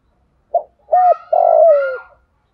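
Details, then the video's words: Spotted dove cooing in the 'giọng thổ' style, played to train decoy birds and lure wild doves: a short note, a clipped coo, then a long throbbing coo sliding downward, with a faint higher whistle behind. "Chim cu đất giọng thổ đủ bài- thúc gù bài bản- gáy gọi mới nhất"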